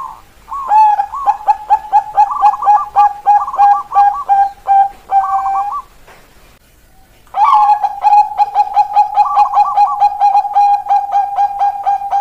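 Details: Bangkok-type zebra dove song in the 'keok kok kok kok' style, played as a lure to get lazy doves singing. Two bursts of rapid, soft cooing notes with a rolling higher phrase, split by a brief pause.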